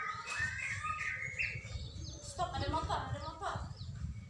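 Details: Greater green leafbird singing actively, recorded on Saturday 21 December 2024: a jumble of warbled, chirping phrases with quick rising and falling notes, over steady low rumbling background noise and faint voices.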